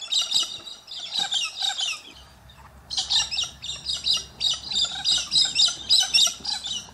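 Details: Australian King Parrot giving rapid, shrill chattering bursts, about four a second, in high runs with a short pause; a low steady hum underneath.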